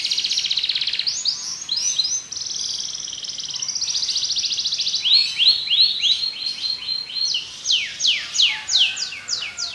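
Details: Song of a Belgian canary, opening with dense buzzy trills, moving into a chain of quick rising chirps, then ending in loud, sharply falling whistled notes about three per second.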